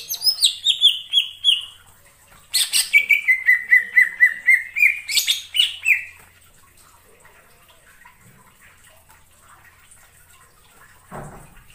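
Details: Greater green leafbird lure song for trapping, six seconds of rapid sharp chips and long descending whistled phrases, then near silence with a faint rustle at the end.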